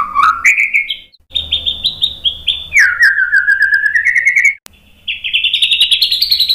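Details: White-rumped shama singing on a recording meant to tutor birds and draw them into replying. Loud rich phrases: rising whistles, rapid pulsed trills, and a long falling then gently rising chattering run, broken by short pauses.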